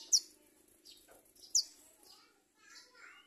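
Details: Garden sunbird bringing food to its young while locusts threaten the nestling; sharp high downslurred chirps, two loud ones about 1.5 seconds apart, with softer twitters between.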